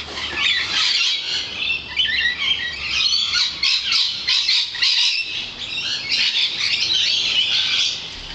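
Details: Lorikeets gathered in numbers beside a balcony, shrieking and squawking together in a loud, unbroken, grating chorus of high piercing calls.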